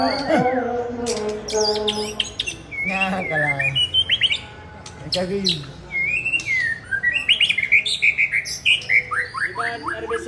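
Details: White-rumped shama of original Aceh stock from Tangse: loud, varied song of rich whistles, rising and falling slurs, harsh rasping notes, then a fast run of sharp chopped notes near the end.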